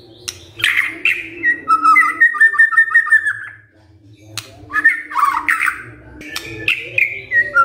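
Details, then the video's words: White-rumped shama song used to prompt other shamas to answer: rich whistled phrases around mid pitch, a run of quick repeated notes, then slurred rising and falling whistles, with a low background hum. "pancingan murai batu ini bikin GAMPANG NYAUT murai lainnya"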